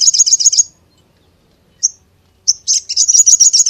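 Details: Little spiderhunter, called sogok ontong, delivering rapid high-pitched twittering, falling silent, then two isolated sharp notes before resuming a fast, shrill chattering series; no other sounds.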